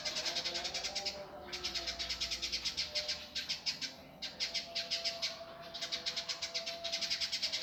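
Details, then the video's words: Indigo bird singing rough, fast and tight for a bird-training master: long bursts of buzzy, rapidly repeated high notes separated by short pauses, with a faint low drone. "masteran burung indigo gavor kasar speed rapat"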